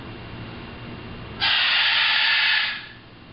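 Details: A two-year-old male Harlequin Macaw, talking at a mirror, gives one long, breathy "shhh" hiss of over a second, imitating human shushing at another macaw, the first time he did it; quiet room noise.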